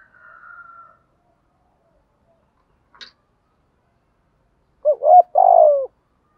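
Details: Spotted dove cooing used to stir doves to call and breed: a faint higher tone and a single click, then one low, hollow phrase of a short note, a rising coo and a long wavering coo.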